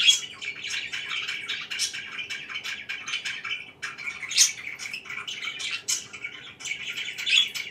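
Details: Morning budgerigar chirping from pet birds: a busy, scratchy warble of rapid twittering notes with scattered louder high chirps, steady throughout.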